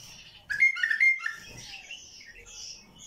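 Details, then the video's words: ['White-eared bulbul with a heavy, deep-throated voice: one short burst of bright whistled notes that wobble between middle and high pitch, then trail off into softer chattering in a quiet setting.'] "ثكيل الشايب حنجره"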